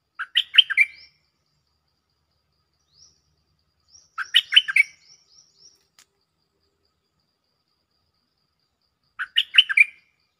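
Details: Cream-vented bulbul calling a mate, used as a lure recording: three bursts of quick bubbly, gurgling notes, one about every four seconds, with faint thin high whistles in between.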